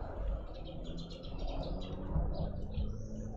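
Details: In a Pretoria suburban garden in South Africa, a family of red-billed woodhoopoes raises a commotion, giving a quick run of high, clipped chattering notes and then a few drawn-out squeals over constant low rumbling.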